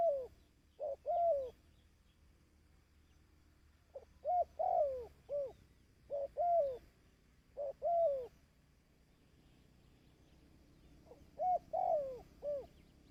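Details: Repeated dove coo phrases used to train decoy birds, groups of short and long falling notes recurring across the recording with quiet gaps between bursts and low steady background noise.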